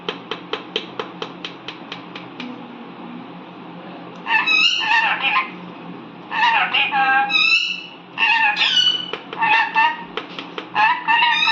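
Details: Indian ringneck parakeet, a talking pet: a run of faint clicks at first, then several bursts of chattering, squeaky speech-like syllables with sweeping pitch, over a low background hum.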